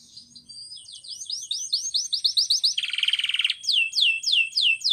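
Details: Canary song recorded for training birds: a fast series of ringing upswept whistles, a brief low buzzy rattle, then slower, sharper rising notes repeated about twice per second.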